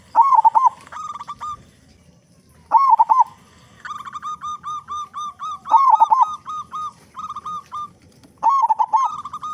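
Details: Actively singing local zebra dove with a big voice, played as a lure to get other doves singing; bursts of rapid rolled notes followed by evenly spaced series of short clear coos, repeated about every three seconds.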